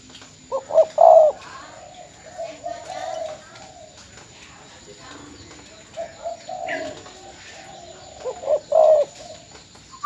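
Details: Spotted dove decoy bird in Bến Tre, Vietnam, filmed in farewell after being sold, gives soft low coo phrases at the start and near the end, with faint murmuring between.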